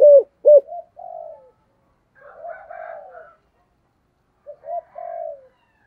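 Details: Spotted dove decoy bird in the thổ voice style. Two loud clipped coos open, then soft, hoarse, low murmuring notes fade in and out with long gaps.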